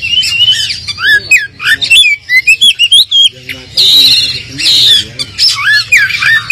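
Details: White-rumped shama song used as a lure to provoke a less aggressive caged bird into answering: loud, varied whistled and squawky phrases, rapid slurred notes rising and falling, delivered in dense bursts with brief pauses.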